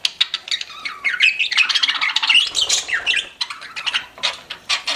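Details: Several pet budgies chattering at once, a continuous stream of high, scratchy chirps, squawks and short whistled slides, busy and overlapping throughout, with a faint low rumble near the middle.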